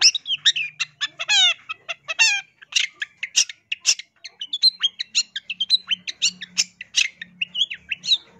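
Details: Long-tailed shrike in a clear, continuous song for luring birds: a rapid, varied medley of sharp chips, harsh rasps and stacked buzzy notes, running almost without pause, over a faint low hum.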